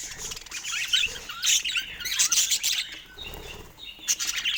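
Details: Pet budgerigars chatter with scratchy squawks and trilled chirps in uneven bursts, with a short quieter pause before a final flurry.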